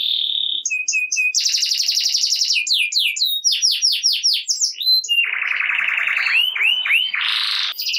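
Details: Canary singing vigorously to prompt lazy canaries: a steady whistle, quick chirps, a dense high trill, a run of sweeping notes, then a lower rolling trill with looping whistles.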